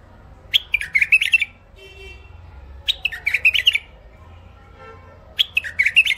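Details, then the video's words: Thick-throated hybrid finch (mule), caged in Baghdad, Iraq, sings three chattering phrases of fast, buzzy twitters, each under a second long and spaced about two seconds apart, with quiet room hum between. "مخلف وحشي علوازي أول عزله حنجره ثخينه"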